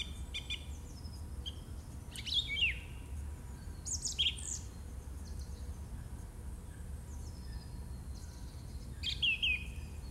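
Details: Song thrush, March 2018: separate bright phrases of high whistled slurs and sharp chips, each short burst followed by a pause of a second or more, over a faint low rumble.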